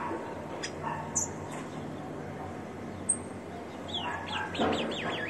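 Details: A captive Rufous-collared Sparrow sings a little after a training session, a few scattered high chirps, then a quick run of wavering, sliding notes over steady low background noise.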